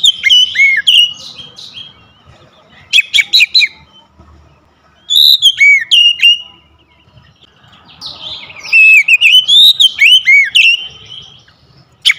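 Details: Oriental magpie-robin kept at home, song meant to make a quiet bird sing freely: four bursts of loud downslurred whistles, buzzy trills and chirps, each one to two seconds, with quiet pauses between.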